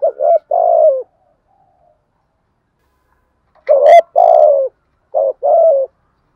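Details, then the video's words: ['Spotted dove giving stimulating coos meant to rouse other doves; two-part phrases of a brief note then a drawn-out falling coo, repeated after a pause of about two and a half seconds, with a faint click.'] "chim cu gáy thúc gù đủ sách bổi nghe ăn lại ngay"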